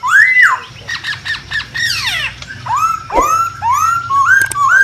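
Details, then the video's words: Masked laughingthrush in the wild giving a loud, harsh, varied song: a rising-falling whistle, quick rasping chatter, a downward-sweeping squawk, then a string of upslurred whistled notes, with low background noise. "KICAU BURUNG POKSAY HONGKONG DI ALAM LIAR"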